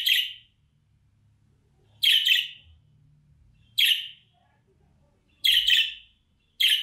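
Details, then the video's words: Sharp, scratchy budgerigar chirps repeated about every two seconds, one burst doubled. This contact call is played to draw back a budgie that has flown away, and a low background hum lies under the calls. "Muhabbet Kuşu Çağırma Sesi, Kaçan Kuşunuza dinletin geri gelsin"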